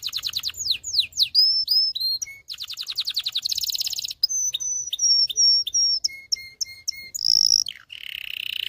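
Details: Canary song used for training males to sing and stimulating females to mate: rapid downslurred notes, pulsed trills, a harsh buzzy burst, then a string of repeated flat whistles and low piping notes.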